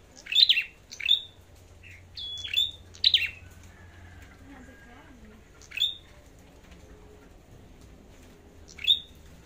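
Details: Red-headed flowerpecker in a singing contest: a few high, sharp chip-and-whistle notes, closely grouped at first and then widely spaced, over low background hum and faint voices.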